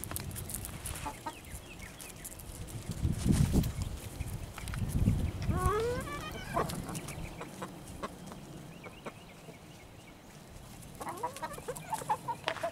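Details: Chickens eating June bugs give short clucks and a few rising, tonal trills amid low rumbling noise and a person's voice.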